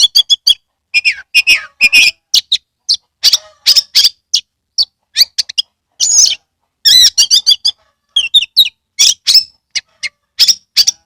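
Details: Very active song of an Oriental magpie-robin from Kebumen, Central Java, spreading its tail: near-continuous high chirping, buzzy rattles and whistles, phrases packed closely with only momentary silences.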